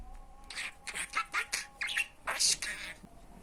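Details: Budgerigar mimicking Turkish speech: a string of six or seven buzzy, squeaky syllable bursts in quick succession, then a brief louder squawk and a trailing pause.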